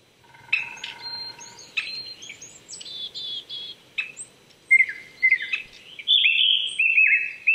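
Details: Morning song of a Japanese thrush at 800 m elevation in Chichibu's Saitama Prefectural Forest, Japan, April 2019: varied high whistles, chips and trills tumbling in quick succession, ending in loud repeated fluty phrases.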